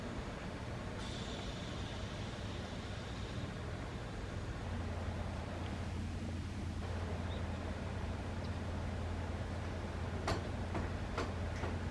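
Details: Steady low rumble of passing traffic and a train, with a few sharp clanks and no animal calls. A faint hiss runs underneath throughout.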